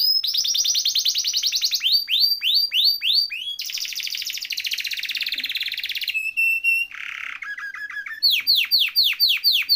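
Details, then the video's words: Canary singing a loud, rapid song: fast trills at a high pitch, a long sustained buzzy roll, a few clear whistled notes, a lower churring trill, then repeated downslurred sweeping notes. "Kenari Gacor Ngeroll Isian Masteran atau Pancingan Kenari Riwikan atau Kenari yang Macet Bunyi"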